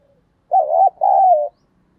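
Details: Single spotted dove coo, a thổ-style voice meant to stir rivals into cooing and fighting: a short throaty note, a brief break, then a longer wavering note slowly falling in pitch, in clean silence.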